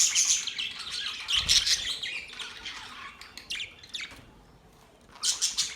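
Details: Australian budgies chirping: loud, fast scratchy twittering at the start that fades into softer scattered chirps, then one more bright burst of chatter at the end.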